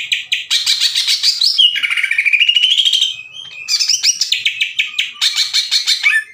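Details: Caged green leafbird in full song, used to provoke slow-to-warm rival birds into answering; dense bursts of rapid high chattering notes alternating with long slurred whistles sliding down then rising, continuous for six seconds.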